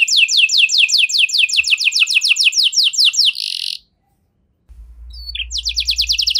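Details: Canary singing a luxurious-style song (cengkok mewah), meant to prompt other canaries into full song; rapid high descending sweeps repeated in a fast even trill, ending in a buzzy note, a short silence, then another quick trill.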